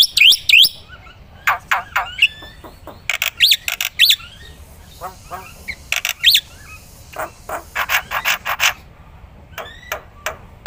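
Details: Black-winged myna for tutoring songbirds, giving an irregular mix of sharp clicks, brief rising whistles and scattered chirps with quiet gaps between.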